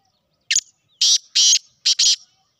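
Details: A single black francolin call, known locally as the Sindhi kala tetar: one clipped opening note, then two drawn-out scratchy notes and a final rapid double note, loud and clear with nothing else audible.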